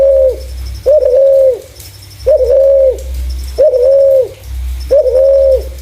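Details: Spotted dove with a clean voice used as a lure for its kind: a steady series of five low, flat coos, each held nearly a second, spaced evenly, with faint ticking above.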